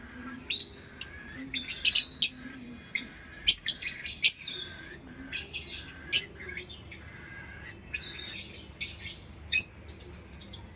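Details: Lovebird in busy, shrill chirping, dense runs of high squeaky notes with several loud piercing peaks, scarcely pausing.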